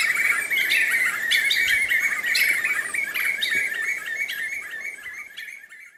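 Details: Black-fronted nunbird recorded in Pirenópolis, Goiás, Brazil: dense, excited chattering and squawky notes run together for several seconds, then fade and end abruptly.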